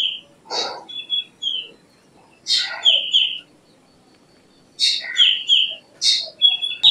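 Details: Black drongo (Dicrurus macrocercus) song: repeated phrases of rasping, chattering notes mixed with ringing whistles that slide downward, four phrases in about seven seconds, the bird loud and close.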